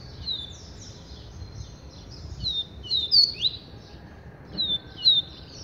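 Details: Double-collared seedeater song, somewhat distant: high whistled notes falling in pitch, loosely repeated in small clusters with irregular spacing, over a soft background hiss.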